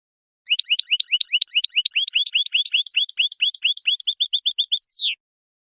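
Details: European goldfinch song for teaching chicks to sing: repeated upswept chirps in a quick, regular rhythm, then a run of clipped high notes, closing with one long descending buzzy note. No background sounds are present.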